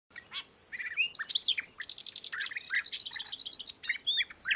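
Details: European bee-eaters calling: a busy stream of short, liquid, rolling notes, several slurring downward, overlapping from more than one bird, with no other clear sounds.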